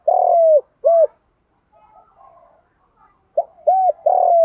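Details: Spotted dove cooing as a lure to call other doves: a long falling coo and an arched coo, a quiet gap with soft murmurs, then a short note, arched coo and long descending coo.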